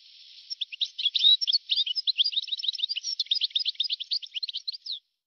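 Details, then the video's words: European goldfinch song from an archive recording dated 1982 to 1990: an unbroken stream of fast, chattering, liquid notes and short trills lasting about four and a half seconds, ending abruptly, over faint background hiss. "تغريد حسون قديم جدا (1982-1990) صوت رائع"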